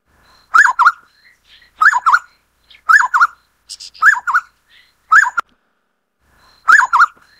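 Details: A Black-necklaced scimitar babbler, endemic to Taiwan's lower hill scrub, gives six rhythmic two-note whistles: a rising-then-falling slur followed by a quick dip. They come about every 1.1 seconds, with brief buzzy high notes interspersed.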